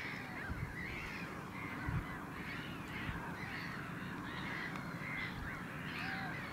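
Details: Caspian gull, the same individual recorded on 9 March 2016, giving a run of arched, nasal, harmonic calls in quick succession, several per second, over steady background noise with a couple of low thumps.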